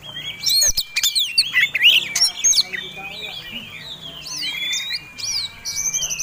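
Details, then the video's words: Oriental magpie-robin of the fighting type singing to provoke rivals: an opening flurry of harsh clicks and bright slurred whistles, followed by a sustained flat whistle and scattered upswept notes. "Kacer Tarung Ngobra Ngotot Gayanya Eksotik Bikin Ngiler || Pancingan Mewah!!!"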